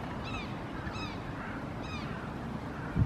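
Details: A barnacle goose (Branta leucopsis), one of the families with downy chicks in a park in Helsinki, Finland, in June 2018, gives three short, yapping, slightly falling calls about a second apart over a steady low rumble of traffic or wind.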